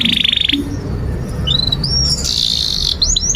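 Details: Canary from a tutor recording for young birds: a brief buzzy trill, then a quieter stretch of thin rising whistles and a short high warble over background hiss.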